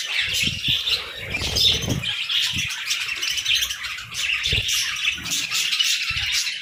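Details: Budgerigars chatter in the morning with dense high chirps and warbles from many birds, accompanied by low fluttering and thumping sounds.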